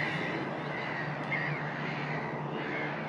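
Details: A steady din of harsh, overlapping calls from a breeding Black-headed Gull colony at Woolston Eyes in May, with a low rumble of wind or distant traffic underneath.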